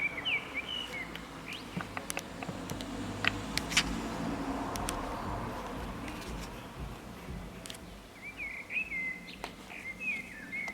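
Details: Perched on an antenna in urban San Martín, Zamudio, Bizkaia, on 23 April 2019, a common blackbird gives two warbling phrases of twisting high notes, one at the start and one near the end, separated by a noisy gap with scattered clicks.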